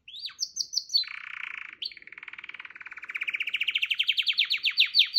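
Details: Canary song opening with high whistles, then a buzzy low rattle and a long rolling trill steadily rising in pitch and volume to crisp, rapid repeated notes.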